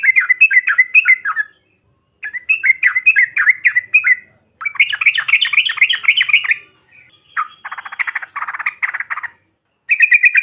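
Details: Yellow-vented bulbul in the trucukan style, a group recording used to provoke other birds into calling: bursts of bubbling, chattering notes in rapid runs, separated by short pauses, with a denser buzzy burst near the end.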